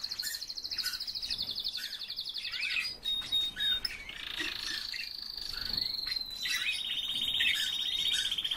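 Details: A kept Siberian rubythroat sings fast, rattling high trills and sustained whistled phrases that run into one another, against a steady background hiss.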